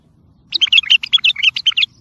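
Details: A bulbul delivers a tayyariyat and sihan song used for coaching birds: about twelve crisp, sweet whistled notes in quick succession over more than a second, lively and evenly paced, with a faint low hum.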